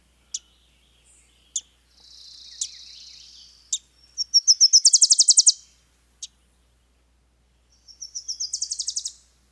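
Wilson's Warbler song: a fast, high chatter of about a dozen sharp notes that starts soft and swells louder, repeated after a pause, with scattered thin chip notes.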